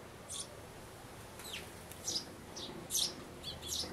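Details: Sparrows at a nest box in May 2012, parent birds going back and forth to urge a grown chick peering from the hole to fledge, one day before leaving; sparse high chirps at irregular intervals.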